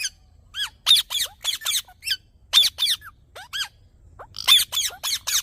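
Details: Green parrot mixing short down-slurred whistles with rough, grating squawks in twos and threes, in irregular bursts over a quiet background.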